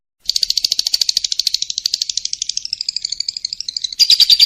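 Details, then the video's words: Lovebird, in a training recording for contest birds, pouring out a continuous fast chattering trill, high and buzzy, that wavers slightly in pitch and grows louder near the end. "MASTERAN LOVE BIRD KUMAT"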